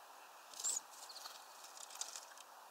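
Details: Bird calling on 14 October 2021 at 16:23: one sharp, very high chirp early on, followed by a short run of soft, quick high notes and scattered faint ticks over a steady background hiss.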